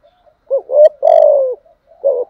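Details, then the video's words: Spotted dove cooing and calling, used to stimulate newly caught birds and train decoys: a series of low, mellow coos, with short hooked notes, a long slightly falling coo, and a brief final coo after a pause. "Tiếng chim cu gáy dùng kích bổi và tập mồi bài bản/ thúc gù, gáy gọi/ kích thích bổi nghe gáy theo"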